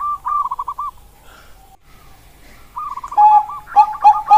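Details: Zebra dove of the Bangkok kind: a short burbling phrase, a quiet gap, then another rolling phrase ending in sharp, clear ringing coos spaced about half a second apart.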